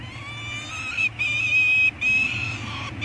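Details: Two Peregrine falcon eyasses on Anacapa, 18 May 2022, beg with long, thin, wailing screams, steady in pitch and broken by short pauses, as food is brought in; a faint low rumble runs underneath. One eats while the other practises wing-flapping.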